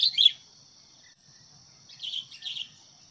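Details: Sooty-headed bulbul decoy meant to draw wild birds into a fight, with one sharp chirp burst, a pause, then two softer chirpy phrases, over a continuous high-pitched insect whine.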